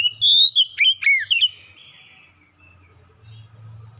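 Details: Kacer lure song, from the oriental magpie-robin, used to prompt singing: a quick string of loud clear whistles and sharp slurred notes in the first second and a half, fading into soft buzzy notes and low hum.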